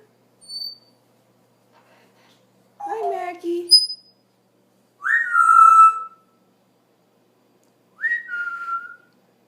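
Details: Pet parrot indoors at night after lights out, giving four short bursts of sound: a brief high whistle, a rough warbling squawk, then two clear falling whistled notes spaced a few seconds apart in a quiet room.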